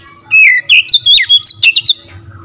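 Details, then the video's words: Oriental magpie-robin in full, constant song used to stir up rival magpie-robins; a quick run of about ten slurred whistles, first falling, then climbing higher and ending in sharp chirps, over a low steady hum. "TERAPI KACER LAIN LANGSUNG TERPANCING EMOSI GACOR DOR"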